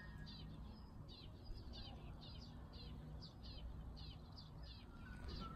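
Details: Unidentified bird in early summer, a sound commonly heard in home yards and neighbourhood alleys: short, high, slurred chirps repeated steadily about twice a second, roughly ten in a row, over a constant low rumble of background noise.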